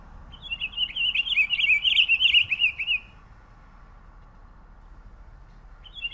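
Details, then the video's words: Pine grosbeak (Pinicola enucleator) song: a clear, rapid, twittering warble lasting about three seconds, followed by quiet and the start of another phrase. "Canto del Camachuelo Picogrueso"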